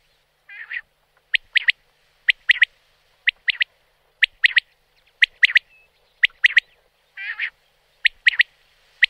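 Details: Wild Common Quail (Coturnix coturnix) sings its sharp, liquid three-note 'wet-my-lips' phrase again and again, about once a second, with a soft nasal growl before some phrases; the background is quiet.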